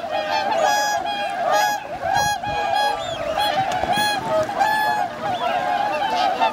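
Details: Wintering swans on Lake Hyoko, Agano, Niigata, Japan, 8 January 2022, flock of 2628: clear, resonant trumpeting honks given in quick sequence, several loud distinct calls standing out from the constant flock chatter.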